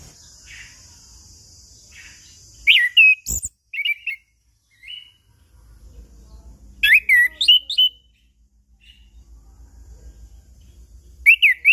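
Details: Chestnut-capped thrush singing as a lure for birds that have stopped singing: separated bursts of sharp, slurred whistles and high twitters, with quiet gaps and a faint low hum between phrases.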